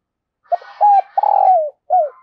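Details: Decoy spotted dove calling wild birds with a single coo phrase: a brief low note, a steady coo, a long trilling coo drifting lower, and a short descending final coo. Faint high twittering underneath.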